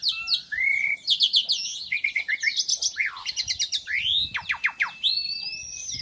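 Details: Black-winged myna song: a dense medley of clear whistles, rapid buzzy chatter and harsh rattling notes, ending in a long rising whistle.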